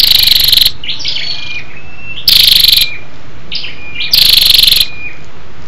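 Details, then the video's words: Female scarlet-backed flowerpecker calling to stimulate males: three intense, rapid ticking bursts nearly two seconds apart, each trailed by soft, high, level whistled notes. "SÂU ĐẦU ĐỎ MÁI RO KÍCH TRỐNG- Giọng MỒI HAY"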